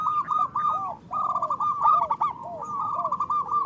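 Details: Local zebra doves calling, used to lure birds for trapping: dense rolling coos with lower arched notes overlapping, several birds blending in quick repeated phrases.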